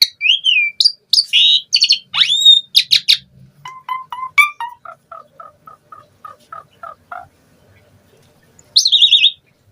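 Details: Asian pied starling in lively, mimicry-filled song, played as a lure to get other starlings singing in rainy or dry season: opening whistled slurs and sharp high notes, then a rapid run of short even chips, ending in a falling whistled phrase.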